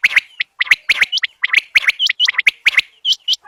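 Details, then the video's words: Quail calls, known locally as bater, used in bird hunting: rapid bursts of sharp chirping notes, some with short upward-curving whistles, tumbling about seventy times a minute in quick irregular clusters. "new Quail bird Sound Fo Bater ki awaz Vol 26 Zabardast awaz Quails sound"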